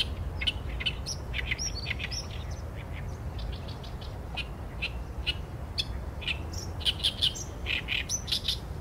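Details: Song of an Oriental reed warbler, recorded with a Sony A7M3: loud, rasping, repeated chattering syllables in rhythmic bursts, broken by short pauses and occasional thin whistled notes, over low steady rumble.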